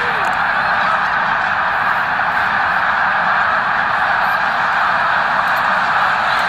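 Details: Snow geese gathered during their November 2018 migration at Victoriaville, a huge flock clamouring nonstop in an unbroken roar of overlapping honks and yelps.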